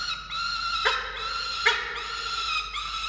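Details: A wailing falcon call recorded at a nest camera in Orange, Australia, at a chick feeding on 13 November 2022: a steady harmonic squeal, broken by two short louder bursts.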